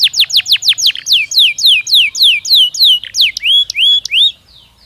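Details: Belgian canary singing as a warm-up stimulus: clear downward-slurred whistles repeated about three per second, growing longer and more spaced, ending in a few rising notes and then quiet.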